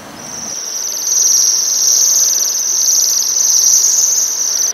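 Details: One continuous very high, thin, metallic trill from Waxwings at rowan berries, rising in loudness after the first second and holding steady until an abrupt stop.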